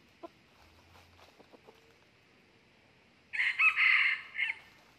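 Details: Red junglefowl crowing as a decoy rooster is used to lure and fight a wild young male. Quiet, scattered clicks come first, then a loud, harsh, multi-part crow of about a second and a half, ending with a brief trailing note.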